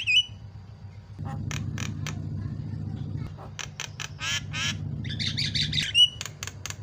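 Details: Chatty Javan myna song intended to prompt other mynas to sing: a brief twisted whistle, then scattered scratchy notes and rattles over a steady low hum, ending with a whistled upslur and quick harsh notes.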